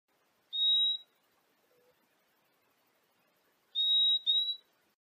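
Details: Purple-throated euphonia (Euphonia chlorotica) singing in the wild: a single high, clear whistle, then a quick pair of whistles about three seconds later, in a quiet setting.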